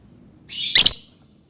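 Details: Lovebird giving a single loud, harsh screech lasting about half a second, rising quickly into a bright grating peak before fading, against a quiet low background.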